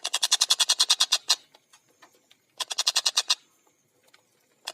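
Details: Busy, clear, fast tengkek buto (collared kingfisher) calling: a rapid run of harsh, evenly repeated notes, a pause with faint ticks, a second shorter burst and the start of a third.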